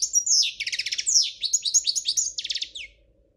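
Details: Short burst of European goldfinch song in the royal Spanish style: a high whistled slide, then quick tinkling trills and a rattling run, fading out after about three seconds.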